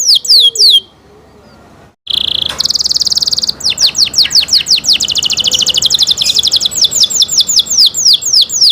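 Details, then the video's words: Singing canary: high downslurred notes, a short silence, then a buzzy trill rising into a rapid pulsed rattle, followed by long runs of quick repeated downslurred whistles that speed up and slow again. "canary Nice sound"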